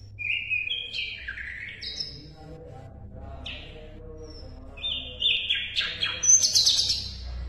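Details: Sikatan londo (Asian brown flycatcher) recorded as songbird tutor material: buzzy, descending chirped phrases, a pause with scattered faint notes, then a loud burst of high twittering and trilled notes.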